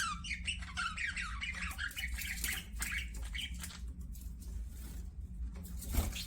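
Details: Pet budgies open with a string of bright, quick chirps and descending squeaky notes, which blend into softer warbling chatter over a constant low background hum.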